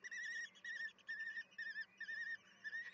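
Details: Common kestrel chicks begging at the nest during a wild evening feeding on 10 June 2022 at 18:30; wavering, trilled whistles held at one pitch, given in quick bursts about twice a second throughout.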